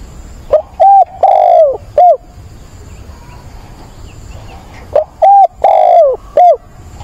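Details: Spotted dove kept as a decoy, cooing to find a mate on 17 September: two identical loud coo phrases about four seconds apart, each short notes framing a long falling middle coo.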